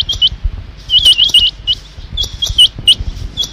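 Rain Quail giving short, high, metallic notes in quick pairs and clusters, repeated about every second or two, over low thumping and clicking noises.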